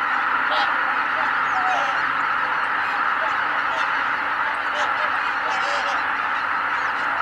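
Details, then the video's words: Greater white-fronted geese at Kabukuri-numa marsh, 12 January 2019, a flock taking off together: a dense, steady wash of overlapping honking calls, with a few clearer nasal honks now and then. "蕪栗沼 一斉に飛び立つマガンの群れ"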